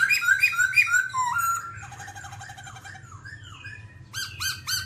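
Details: Babbler singing, described as dancing: quick repeated whistled notes, then a falling slur, a buzzy chattering passage and a few sharp upswept notes at the end.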